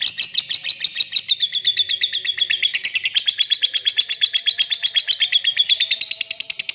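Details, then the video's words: Lovebird singing a long ngekek, a loud, rapid, unbroken chattering trill of sharp high notes, very fast and even, pitch stepping up slightly partway through and holding steady to the end; no other sounds. "pancingan Lovebird"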